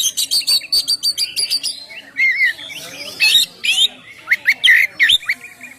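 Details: Ngeplong song of an oriental magpie-robin used for luring birds and prompting song: a rapid train of about fourteen evenly spaced high chirps, then looping whistled phrases mixed with harsh notes.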